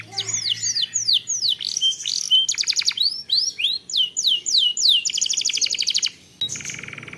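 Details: Canary song played as a lure to trigger singing in other canaries: fast varied phrases of rising and falling whistled notes, dense buzzy trills and rattling rolls, loud and continuous with short pauses.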